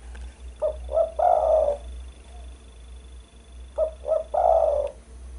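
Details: Spotted dove call, used as a bird-luring and training sound: two short low coos then a longer drawn-out coo, the three-part phrase given twice about three seconds apart over a faint steady hum.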